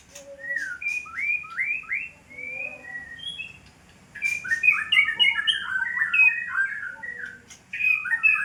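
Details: White-rumped shama, described as a fighter, singing varied whistled phrases of short rising and falling notes, rapid and loosely repeated, with a pause near the middle before a denser burst of overlapping notes.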